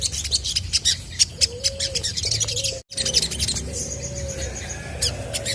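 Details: Chestnut-backed scimitar babbler singing to make other birds reply: a run of low, mellow, slightly arched whistled notes, some short, some drawn out, with dense high-pitched chirps from other birds above and a brief dropout midway.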